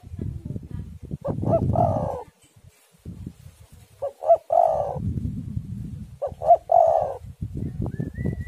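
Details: Coos of a spotted dove played to lure and prompt doves to sing, with stormy wind: three phrases, each two clipped notes followed by a longer vibrating coo, repeated steadily over deep gusty rumble.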